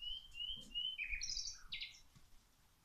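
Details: A bird sings while plants are watered, clear whistled notes repeated in a short series, then a sliding higher phrase and a buzzy chirp, with faint low background noise.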